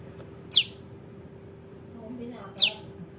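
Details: Young prinia calling, a recording meant to lure birds for trapping: two brief, piercing down-slurred chirps about two seconds apart, with faint low murmuring between them.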